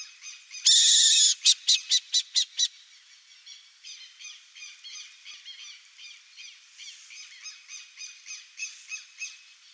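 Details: Burrowing owl: a harsh, hissing rasp of about half a second, then a fast series of about seven sharp clicking notes, fading into softer, quick chattering notes repeated more than twice a second.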